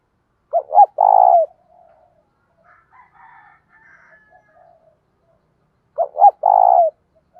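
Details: Training call of Spotted doves, male and female, for stimulating wild-caught birds: a three-part coo phrase, two brief notes and one long rolled coo, heard twice about five seconds apart, with soft faint chatter between.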